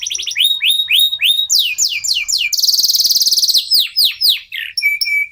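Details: Singing local canary, played to get other birds to join in: clipped rising whistles, a dense rattling buzz of over a second, then falling slurred notes and a sustained pure whistle at the close.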